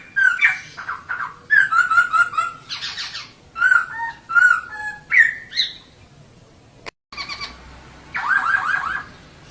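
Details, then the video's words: Female poksay (laughingthrush) song meant to provoke male poksay into singing: a sequence of loud harsh slurred notes and short whistled phrases, then a brief dropout and a rough buzzy burst. "Kicau Poksay Betina || Pancingan Untuk Poksay Jantan Supaya Gacor"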